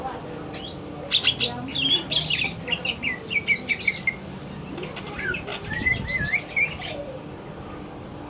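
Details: In the afternoon a male greater green leafbird sings rapid, twittering whistled phrases with sharp clicks, slurred rising and falling notes, and a soft low rumble beneath.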